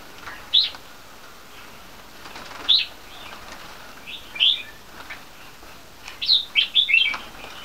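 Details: Three-month-old crossbreed bulbuls (red-whiskered × yellow-vented) give short, bright chirps at spaced intervals, then a quicker burst of four or five notes near the end, with a quiet background.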